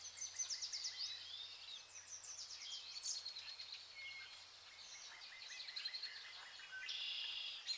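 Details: Zebra finches: many short, nasal, high chirps and buzzy notes tumble over each other in a dense, irregular chatter, with occasional longer trills and a steady low hum underneath.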